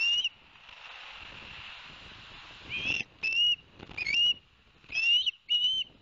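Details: Live-cam ospreys at Barnegat Light, New Jersey, 11 September 2021, as the adult male brings two fish for the young: a steady hiss, then several piercing, slightly upslurred whistles in short bursts and pairs.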